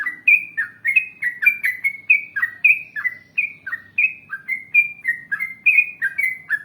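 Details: Lively yellow-vented bulbul song in the ngalas panjang, ropel panjang manner, intended to prompt other bulbuls to respond. Continuous cheerful, liquid whistled notes in rapid succession, each a short slur, with a faint low hum beneath.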